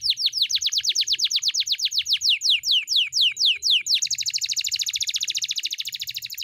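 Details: Pet canary in full, long-running rolling song, kept as a tutor recording for other birds: a run of sharp downward-sweeping whistles, about four each second, then a fast, even, buzzy high trill.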